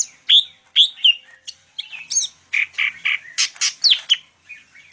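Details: Medan greater green leafbird in rich mimicking song: loud rising whistled notes at the start, then a rapid string of harsh buzzy chips and slurred whistles, ending with softer trailing notes.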